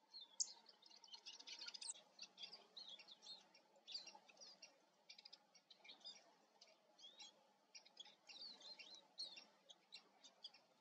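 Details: Eurasian siskin: a dense stream of high, quick chirps and twitters, with short sharp notes and a few slurred phrases that come in bursts over a faint steady hum.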